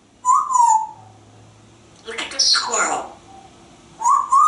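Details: Male African grey parrot, hatched 1997, living in a Texas home, perched in a screen-porch birdhouse and talking to birds and squirrels: short whistled, speech-like phrases near mid pitch with pauses, one brighter warbling burst in the middle.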